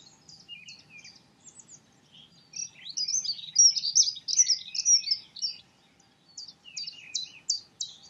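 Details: Dunnock giving a hurried, high, scratchy warble lasting about three seconds, with sharp, thin chipping notes repeated before and after the phrase.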